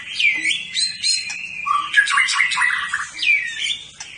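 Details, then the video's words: Champion competition white-rumped shama, a caged bird, singing rich sliding whistles and a dense rolling chatter, with loud, continuous phrases. "Kumpulan Tembakan Murai Batu juara"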